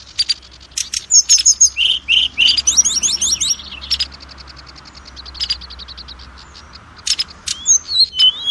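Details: Oriental magpie-robin (kacer) lure song to raise the confidence of adult and juvenile birds: about four seconds of rapid chirps and whistles, a quiet stretch of faint ticking, then a few whistled notes again.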